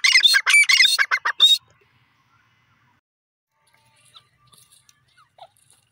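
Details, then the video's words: Female grey francolin with chicks calling: a loud burst of harsh, grating notes repeated rapidly for about one and a half seconds, followed by near silence with a few faint high chirps. "desi teeter ki boli,dakhnin teeter ki awaz"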